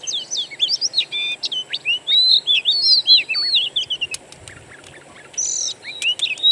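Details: Oriental magpie-robin lure made of wild birdsong, used to prompt a kept bird to sing: fast, varied whistled phrases with sweeping slurs and sharp chirps in a dense, tumbling run, a brief pause, then bright upslurred notes resume.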